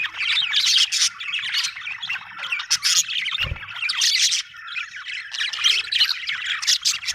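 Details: Several budgies chatter happily, with dense scratchy warbling, high chirps and harsh squawks in nearly continuous overlapping bursts; one brief low thump midway.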